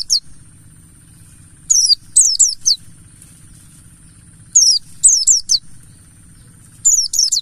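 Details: Mountain white-eye, wild 'ngalas' Buxtoni type, played to coax white-eyes into song: clusters of three or four high, steeply dropping chips recurring roughly every two and a half seconds above a faint low drone.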